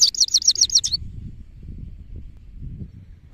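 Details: Male goldfinch (saira) singing a fast, rapid run of high tinkling, slurred notes, about seven in under a second, then falling silent while a low rumbling background continues.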